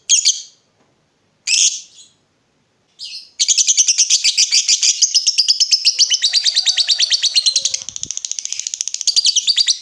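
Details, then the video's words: Lovebird in 'gacor' singing form, a lure to make other lovebirds reply with 'ngekek'. Three short scratchy chirps, then a sustained, very rapid, buzzing high-pitched chatter that rolls on for over six seconds. "Pancingan Lovebird Gacor Burung Lakbet apapun pasti Nyaut Ngekek"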